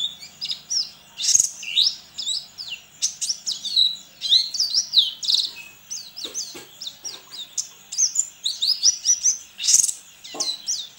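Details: White-eye in an online singing contest from Sambas, West Kalimantan, fed banana and Leopart feed: dense, rapid high-pitched twittering song of quick sweeping chirps and trills, almost continuous in bursts across the recording, with a faint low hum beneath.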